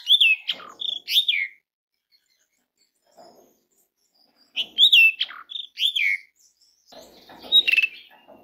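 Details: Asian pied starling calls, a lure to prompt starlings to sing: phrases of clear whistles mixed with harsh grating notes, given twice in similar order, separated by quiet gaps with soft rustling.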